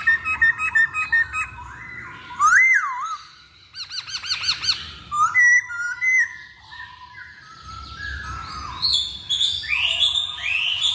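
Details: Masked laughingthrush song used as a lure recording: mixed whistles, a dipping looped note, rapid rattling bursts and bright high rising phrases toward the end, delivered nonstop.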